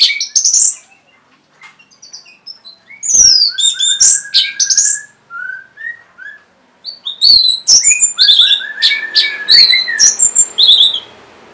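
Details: Caged-bird prompting song of an orange-headed thrush: varied phrases mixing high sweeping whistles, rapid twittering and lower drawn whistles, continuing with dense chattering toward the end.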